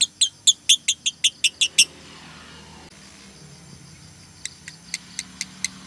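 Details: Female lovebird in konslet 'tired tone', a lure and training call for other lovebirds. Nine bright, piercing chirps come in under two seconds, then a long quiet gap, then several weaker chirps at a slower pace.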